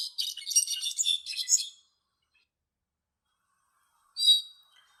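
Brown-backed Solitaire: a rapid jumble of high, ringing, metallic notes for nearly two seconds, then silence and one more bright ringing burst.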